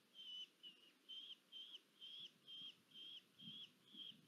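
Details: Red-footed falcon female at a nest in Polgár, Hungary, on 1 August 2022, during food deliveries: nine high, thin, slightly inflected notes in quick steady succession over about four seconds, with a quiet background.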